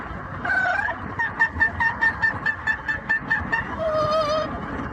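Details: Pet yellow-naped amazon parrot singing opera on the commute: a short sliding whistle, then about a dozen evenly repeated notes and a closing wavering held tone, above low vehicle hum.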